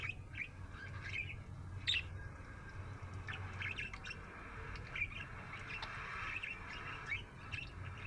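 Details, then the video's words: A happy budgerigar gives scattered warbling chirps and soft chatter over a steady low hum. "Happy budgie chirping sound"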